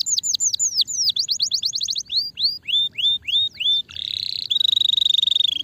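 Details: Canary song played to stimulate a sluggish bird: loud high whistled phrases of quickly repeated falling slurs, changing tour every second or so, ending in a dense, rapid, rattling trill.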